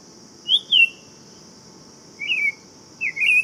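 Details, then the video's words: Buff-throated saltator, Saltator maximus, giving three whistled phrases with bending, slurred notes, spaced by pauses of over a second, with a constant high-pitched hum in the background. "Canto do Tempera Viola Saltator Maximus"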